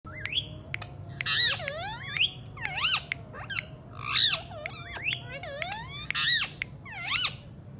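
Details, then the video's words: Alexandrine parakeet talking: a varied run of sharp clicks, rising and falling whistled notes and harsh, buzzy, speech-like bursts. The sounds come in clusters roughly every second, with a low indoor hum underneath. "alexandrine parrot talking"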